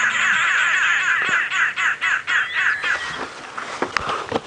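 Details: Arrow-marked babblers at Djuma Game Reserve on a sunrise safari drive, 6:30 AM, 26 November 2016, chatter in a harsh, rapid, nasal chorus of repeated notes, loudest at first, then fading into scattered calls.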